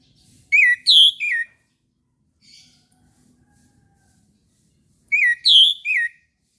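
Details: Orange-headed thrush in morning song, meant to stimulate silent caged birds: a loud three-note whistled phrase, slurred up and down, repeated after about four and a half seconds, with a brief quiet twitter between.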